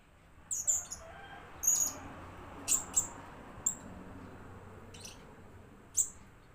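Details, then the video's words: A blue-crowned hanging parrot used as a decoy gives short, shrill, high squeaky notes at irregular intervals of about a second, over a constant low rumbling background. "Aksi kicau serindit pikat"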